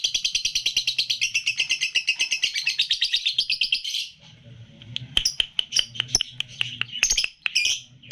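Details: Three-month-old red-eyed lutino lovebird sings a long, fast, buzzy chatter for four seconds, then pauses briefly before resuming with irregular sharp chirps and squeaky notes; tight-pause song style.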